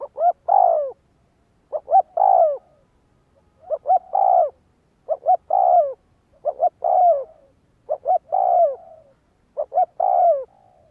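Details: Spotted dove calling for training decoy birds, giving phrases of a few short notes followed by a longer, mellow, falling coo. Phrases repeat roughly every one and a half to two seconds, seven in all, over a quiet background.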